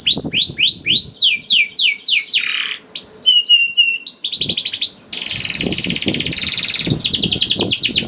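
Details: Young canary (kenari paud) singing to set other canaries singing: down-slurred whistles, fast sweeps, steady whistles, then extended buzzy rattling trills separated by brief pauses.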